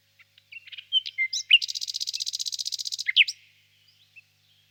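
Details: Nightingale singing on a warm spring evening in a birch grove: scattered high chirps lead into a fast, even buzzing trill of about a second and a half, closed by sharp sweeping notes.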